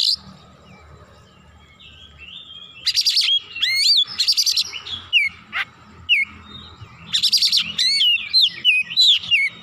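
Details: Excited oriental magpie-robin pouring out its full repertoire: a rapid, varied mix of looping whistles, short chips and harsh buzzy bursts, coming in quick phrases with brief pauses between them.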